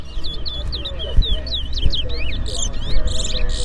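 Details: Caged towa towa, the Lesser Seed Finch, sings during a bird race in Berbice, Guyana. It gives quick, sharp, descending whistled phrases in close series over background voices and a low hum.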